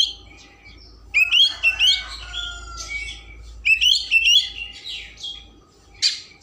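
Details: Kacer, the Oriental magpie-robin, with a varied song used to excite other birds into tail-spreading: two bright, rising whistled phrases with buzzy overtones, separated by quiet gaps, and a sharp closing note.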